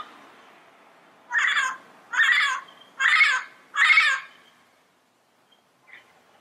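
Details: Yellow-headed amazon calling four times: harsh, grating squawks about a second apart, each roughly half a second long, followed by quiet with a faint short note at the end.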